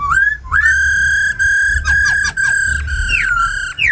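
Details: Tame captive laughingthrush singing in forest style, with a female's ro khẹt calls, played to fire up wild-caught birds. Long steady whistled notes broken by short gaps, then quick downslurred notes and a rising whistle at the end.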